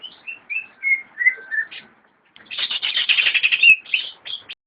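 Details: Cage-kept greater green leafbird giving a run of descending whistled notes, a short silence, then a loud buzzy chattering trill ending in sharp whistles.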